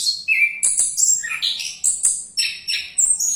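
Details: Orange-headed thrush keeps up its song while diving, opening with a level whistle, then a rapid sequence of high sharp whistles and harsh scratchy notes that jump between pitches in short, tightly packed phrases.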